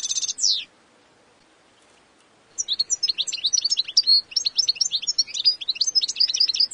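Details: European goldfinch: a quick buzzy trill, then a pause, followed by a long rapid string of tinkling, twittering chirps running on continuously.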